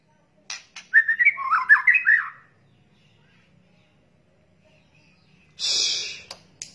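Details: Shama lure recording of crackling calls from juvenile, male and female birds: brief ticks, then a quick jumbled warble of looping notes, a long pause, and a loud harsh hissing burst with a final click.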